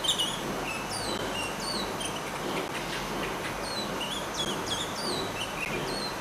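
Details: Moroccan Eurasian blackcap back at its nesting grounds, filmed at about 3 meters: a busy sequence of high falling whistles and short sharp notes, clustered in the first and last seconds, over an even noisy background.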